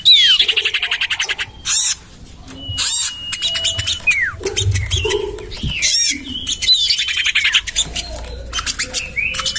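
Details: Garden-tested lure for common iora: fast chattering trills open, followed by long flat whistles, downward slurs and loud arched harsh squawks, ending in a run of rapid ticking notes.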